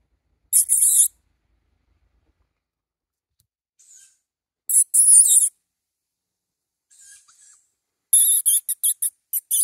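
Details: Young tawny owl calling for food: harsh, hissing screeches about half a second long, spaced several seconds apart, then a quick choppy run of short hissy bursts at the end; otherwise quiet.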